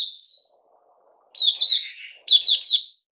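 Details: Bulbul given fruit juice, one mealworm and a health drink, 08/05/2021: a short whistled note, a pause, then two loud chattering descending phrases about a second apart.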